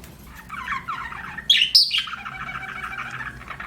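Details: Budgie chirping in a small room: soft warbled chatter, then two sharp high chirps around the middle, fading into a steady low warble.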